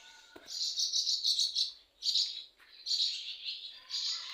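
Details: On a morning at a home garden, swallows with nests there, fledglings in flight training, give rapid, high twittering chatter in bursts of about a second, with short pauses between, over faint background noise.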